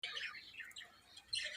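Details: Budgerigars playing, giving bright, scratchy chirps and warbled chatter in quick, uneven bursts.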